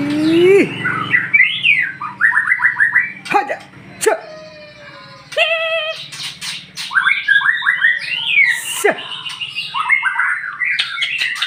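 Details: Captive magpie-robin giving a morning lure song: a varied medley of slurred whistles, sharp downward sweeps and quick chirp runs, with brief pauses between phrases.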